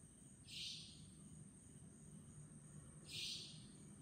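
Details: Savanna nightjar at Chunghsing New Village, Nantou, Taiwan, recorded 11 April 2018, repeating a harsh, sizzling buzz twice, about two and a half seconds apart, over a droning low background.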